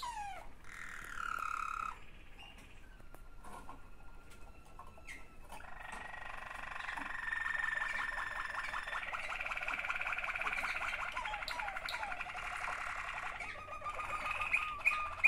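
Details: Waterslager canary song, two siblings singing, with rolling, bubbling trills that build from about five seconds into a continuous dense warble, preceded by a brief tonal phrase and faint knocking sounds.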